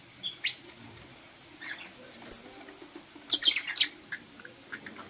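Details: Blue Opaline and Parblue Euwing Opaline lovebirds chirping in the morning, scattered thin high squeaks early on, then a rapid cluster of shrill scratchy chirps, over a quiet background.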